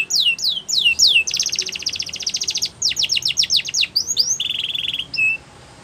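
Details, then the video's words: Canary training song with falling whistles, a long fast buzzy trill, a run of sharp descending notes and a lower steady roll, ending quietly. "Best Canary Sounds !! Suitable For Canary Training"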